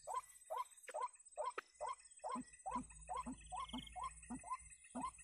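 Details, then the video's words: A White-breasted Waterhen recording used as a lure to attract waterhens to a trap gives a steady run of harsh, mid-pitched croaking notes, about two or three a second, over a thin high insect-like whine. "Pikat Ruak-Ruak"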